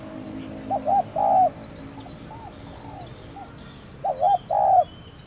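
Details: Spotted dove calling coo of the thổ đồng type, played to make a decoy bird coo; a wavering two-note start and a long coo, softer repeats, then the full phrase again.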